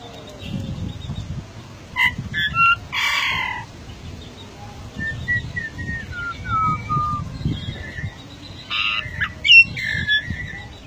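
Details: Golden myna, a rare bird endemic to Papua: loud harsh squawks around two and three seconds, a run of short descending whistled notes in the middle, then more squawky bursts near the end, over low background rumble.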